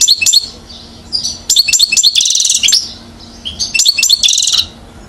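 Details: Year-old European goldfinch from Mouzaia, Algeria, recorded in 2012, singing in sharp bursts: clicking, chattering notes run into buzzy trilled passages, separated by short gaps of near silence, then another liquid, twittering phrase.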